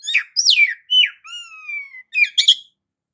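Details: Oriental magpie-robin singing in energetic gacor ngerol style, used as a lure to draw other magpie-robins into song: loud whistled phrases with sweeping downslurs, a long falling whistle and buzzy chattered notes in quick succession.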